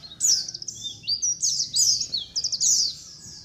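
White-eyes chatter in a flock, with high, thin, rapid twittering trills and overlapping sweet chirps from several birds at once.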